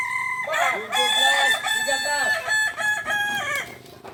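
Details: Native ornamental Kukuak Balenggek chickens from Solok, West Sumatra, crow during a joint practice contest. A loud crow breaks into a rapid chain of bouncing, arched syllables, with several roosters layered together before the crowing fades.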